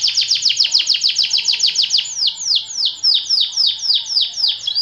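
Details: White AF canary in a long-duration song: a continuous run of sharp downward-sweeping high notes, very fast at first, then slowing to broader sweeps at roughly three per second.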